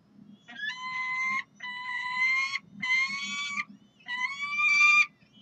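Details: Four drawn-out, rasping wails, each roughly a second long and evenly spaced, as peregrine falcons at the University of Calgary call for food on a Saturday morning, 9 June 2012.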